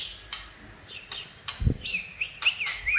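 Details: A white-rumped shama sings a song run of bright, wavering whistles in the upper-middle range, broken by sharp clicks and ticks, with one dull thump partway through.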